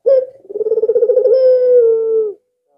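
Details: Albino Barbary dove, a very vocal bird kept as a decoy to set other doves calling, giving one call: a brief low note, then a rolling, pulsed coo that smooths into a drawn-out, slowly falling tone.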